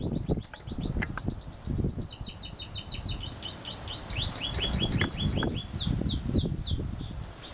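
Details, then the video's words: Canary singing a varied series of rolled trills, each made of fast repeated downward-sliding whistles, some phrases pitched higher and sweeping more steeply, over dull low noise and occasional thumps. "Canario Cantador"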